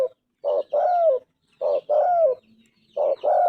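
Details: Spotted dove (tekukur) cooing in its clear golden-voiced style, three phrases of a quick low note and a longer falling coo, with light high-pitched bird twitters behind.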